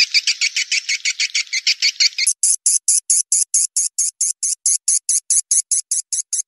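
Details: Mixed swiftlet lure call for attracting swiftlets: rapid buzzy chirps in steady series, switching partway to a higher, evenly spaced run of sharp clicking chirps.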